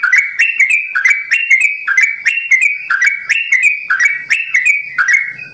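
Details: Simbar jati sooty-headed bulbul from a bird farm giving long ropel song, loud ringing whistles in a regular rocking pattern, roughly one phrase per second, each phrase a rising two-note slur with a crisp ending.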